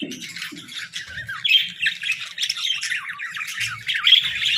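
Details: Pet budgerigars at their morning routine give uneven bursts of raspy squawks and clear high chirps, quieter at first, then busier and louder.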